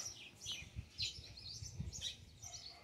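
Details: Ultramarine grosbeak, described as fiery and singing, gives short high chirped notes repeated roughly every half second over a steady low rumble.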